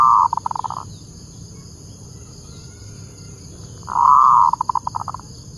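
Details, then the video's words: Local zebra dove (perkutut lokal) used as a lure bird, singing so other doves answer. Two bursts of ringing mid-pitched cooing, each ending in a quick run of staccato pulses, separated by a three-second pause over a faint steady hum. "Suara burung perkutut pikat"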